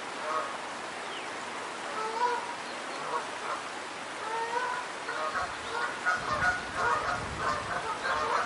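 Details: Several geese beside a stream by day honk repeatedly, harsh and nasal, the calls growing busier and overlapping in the second half, with a constant wash of flowing water underneath.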